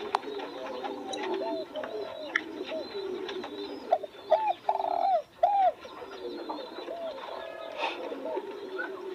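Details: Spotted dove cooing among roses in bloom: a few soft, low hollow coos rise above a busy background of other chirping birds and people talking nearby.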